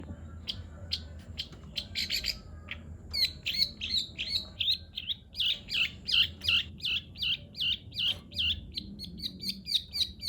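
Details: Long-tailed shrike singing in the greja nyeret style: a few scattered sharp chirps, then from about three seconds a fast, evenly spaced string of short high chirps, roughly three per second, over a low steady hum.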